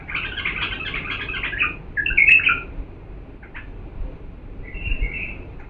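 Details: Clear singing of an authentic Diyala bulbul, used to train young birds: a rapid chattering warble, then a brighter whistled phrase, a short click, and a thin drawn-out note.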